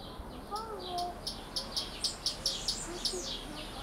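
Squirrel cuckoo giving a quick series of about seven sharp, high 'kip' notes, roughly four per second, with soft lower whistles faintly behind.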